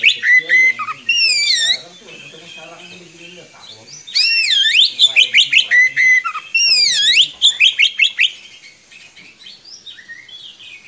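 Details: Oriental magpie-robin singing long phrases for young birds to learn, loud bursts of swooping whistles and quick repeated notes separated by quieter stretches of soft chatter.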